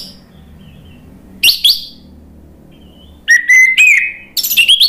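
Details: Loud song of an Orange-headed thrush in Indonesia: a pair of high slurred notes, a pause, then a clear whistled phrase with level tones and bright chips.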